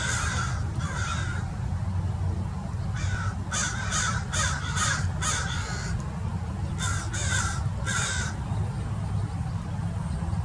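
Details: Murder of American Crows mobbing a Peregrine Falcon in a tree at Mason Regional Park, Orange County, California: bursts of loud, harsh caws in rapid series of two to five, with short pauses, over constant wind rumble.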